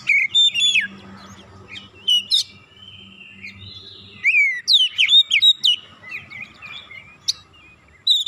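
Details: Oriental magpie-robin song used as a lure to make other birds sing, with varied whistled phrases, sharp rising and falling sweeps and trills, delivered in quick bursts with short silent gaps and a faint low hum.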